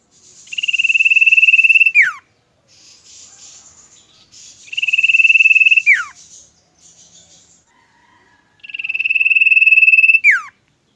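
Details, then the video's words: Common Iora kept as a pet in Indonesia repeats its trilled, level whistle three times, each ending in a plunging note. Softer hissing chatter fills the gaps between phrases. "BURUNG CIPOH KU YANG BOHAI ,,TETAPLAH MENARIK DALAM KICAUANMU"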